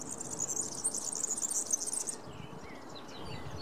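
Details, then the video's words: A singing European serin gives a two-second burst of very high, fizzing, jingling song, almost insect-like, then stops. Faint notes from other birds follow over soft background noise. "Verdecillo (Serinus serinus) cantando"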